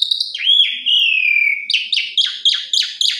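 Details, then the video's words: Asian pied starling song: a long whistled note gliding slowly downward, then a run of quick, harsh, down-slurred chattering notes repeated about five times a second. "Suara Jalak Suren BERDAYU DAYU Seketika Langsung Respon Jalak Suren Macet Berkicau"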